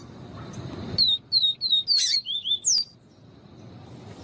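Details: Papa-capim viviti, the Yellow-bellied Seedeater, singing a clean phrase of high, falling whistles, seven or eight notes in under two seconds, the final ones dropping lower, one harsh broadband chip in the middle; played to excite males.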